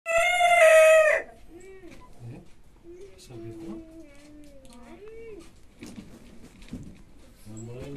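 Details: Rooster crowing: one loud, harmonic-rich crow lasting about a second at the start, followed by softer clucking and murmuring chicken calls with faint background voices.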